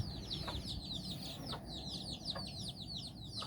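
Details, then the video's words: In Bizkaia, Basque Country, nine chicks wander and play beside their hen; shrill, falling peeps come in a fast overlapping stream, broken by a few short taps about once a second. ""Amatxu" gallina con sus nueve polluelos"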